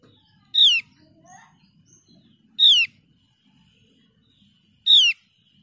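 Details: A Javan grey-throated white-eye, played to coax a quiet bird into singing again, gives loud, sharp downslurred whistles about every two seconds, with faint softer notes and low background rumble between them.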